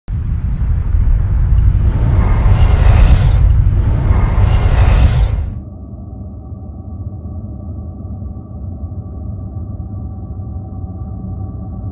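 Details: Deep rumbling with two rushing whooshes, then a steady low hum and faint background music; no animal calls are heard.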